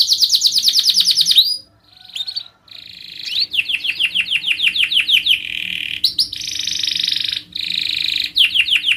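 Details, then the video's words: Canary in strong singing form used to lure other birds: rapid falling notes, a brief pause, then repeated downslurred syllables and high buzzy trilled rolls, continuing energetically. "kenari gacor#canary #canarysinging #canarysingingsong"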